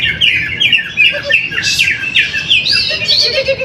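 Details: Caged greater green leafbird, first-place winner at a weekly practice song contest in Trowulan, Mojokerto, Indonesia: loud clear whistled notes, rapidly rising and falling slurs, with a sharp burst mid-phrase. Other contest birds chirp faintly behind it.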